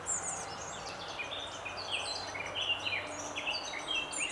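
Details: Lesser spotted woodpecker at its nest hole on 20 May 2017, feeding at least two young that left the nest that evening; rapid high squeaky chirps and thin descending notes overlap continuously, with steady low background hum.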